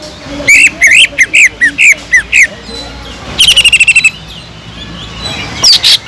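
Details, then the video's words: Greater green leafbird in continuous song featuring kingfisher imitations for training: about nine bright upslurred whistles, a fast rattling trill, a quiet stretch, then one last sharp note. "PANCINGAN CUCAK IJO GACOR ISIAN ISTIMEWAH TENGKEK UDANG"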